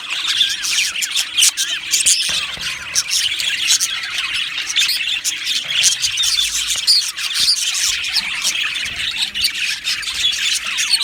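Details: A colony of caged budgies fills the air with thick, high chattering, with rapid squawks and chirps overlapping and a few louder squeaks standing out.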